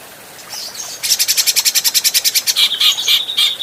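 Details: Adult grey-cheeked bulbul, recorded for bird training: faint high notes lead into a loud rapid rattle of harsh pulses, then several steady whistled notes interleaved with buzzy bursts.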